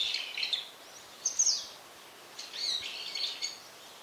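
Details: A frequently calling brown-eared bulbul gives shrill, squealing notes: a buzzy phrase at the start, a sharp high squeak near 1.3 seconds, then a longer harsh warbling phrase, with faint background hiss.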